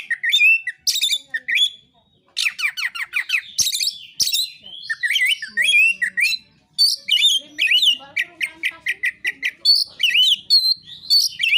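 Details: Oriental magpie-robin fighting song meant to provoke other birds: dense, rapid, varied phrases of sharp chips, slurred whistles and harsh high notes, with a brief pause near two seconds, then continuous chatter.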